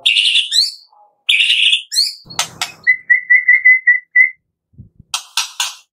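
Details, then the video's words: Afternoon 'tembakan' song of a white-rumped shama, played to provoke shamas into singing: rich warbled phrases with rising ends, a rattling burst, a quick series of bright identical whistles, then harsh scratchy notes. "TEMBAKAN MURAI BATU Sore Hari 100% AMPUH buat Pancingan murai batu pastol agar bunyi"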